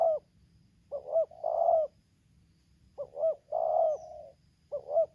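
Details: Lampung spotted dove used as a lure against a wild bird, 'tarik akar selang nguku' song: a brief double coo, then a long throaty rolling coo, the phrase repeated twice, low-pitched and close, with soft background rumble.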